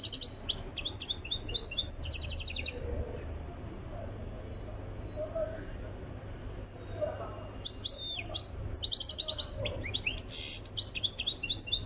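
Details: European goldfinch from Tiaret, Algeria, being trained to sing: fast high twittering phrases at the start and again near the end, separated by a quieter gap with faint low background murmur.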